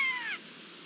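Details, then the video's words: A Eurasian jay mimics a common buzzard with a single drawn-out, falling mew, clear and slightly harsh, lasting under half a second; recorded 22 March 2022. "Arrendajo común imitando a un ratonero"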